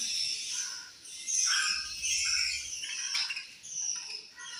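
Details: Budgies eating and chirping, busy high-pitched warbled chatter with sharp squeaks and short whistled notes, some low rustling underneath.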